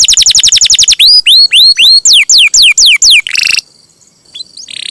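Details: Canary singing to entice other canaries into song: a rapid trill, a series of high down-slurred whistles, a harsh buzzy burst, then near silence with a few faint notes.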